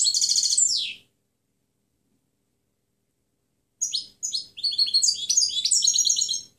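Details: European goldfinch delivering clean song for training other birds: a one-second buzzy trill, a long pause, then a series of sharp chirps that build into lively twittering.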